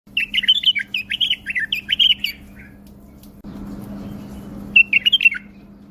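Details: Tame pet bulbul singing indoors: quick bursts of bright, warbled whistled notes, each phrase a cluster of rising and falling chirps, repeated several times, then a pause filled with a rush of noise before one more short phrase, over a steady low hum.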